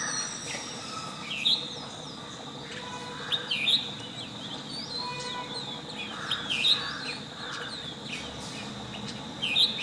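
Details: Long-tailed shrike singing: loud piercing high chirps every two to three seconds, with fainter chattering notes between, against steady background hiss.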